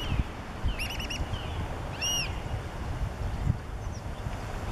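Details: Black oystercatcher at Hopkins Beach, Pacific Grove, near harbor seals, where recently hatched chicks are being led by the parents; a quick run of four sharp, arched whistled notes, then one single piping note, over steady wind and surf rumble.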